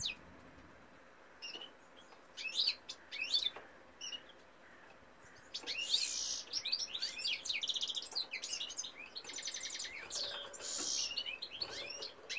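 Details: Singing male European goldfinch, recorded 2018: a few scattered high chips and short twitters at first, then two louder bursts of rapid tinkling, buzzy notes with quiet gaps between, over faint background hiss.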